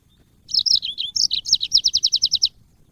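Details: Yellow-fronted canary singing in a training recording for cage birds: warbled high whistles lead into an even trill of roughly ten sharp repeated notes, then quiet.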